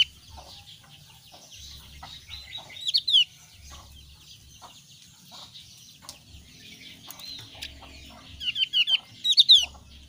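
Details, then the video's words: Thin-browed Javan grey-throated white-eye calling, with bright, high, downslurred whistles in brief clusters near three seconds and again near the end, over a soft bed of distant bird chatter. "ciri khas suara burung opior alis tipis"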